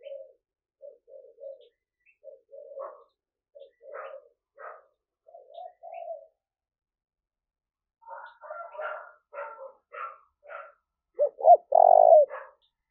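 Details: Spotted dove calls used to lure and stir wild doves: soft low coos recur through the first six seconds. Higher chattering notes follow, then one loud closing coo phrase.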